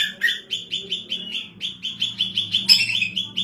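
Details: Female greater green leafbird, a strong singer used for tutoring other birds and as a lure; rapid series of short repeated notes, each a brief upward flick, about four a second, with faint low hum behind.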